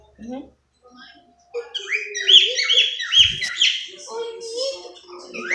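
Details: Pet cockatiel named Isaac talks in a squeaky, high, whistled voice, a short run of syllables like the spoken phrase "I love you Rebecca"; soft human voices at the start and underneath.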